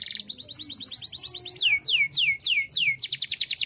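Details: Caged canary from Pemalang, Central Java, Indonesia, delivering sustained song: rapid high buzzy trill, then a series of loud downward-sweeping whistles about three per second, then back into a quick rattling trill.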